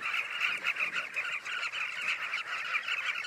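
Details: A dense colony of Southern carmine bee-eaters gathered on the banks of the Luangwa River chorus, many rolling, throaty trills overlapping without pause in a steady mid-pitched chatter.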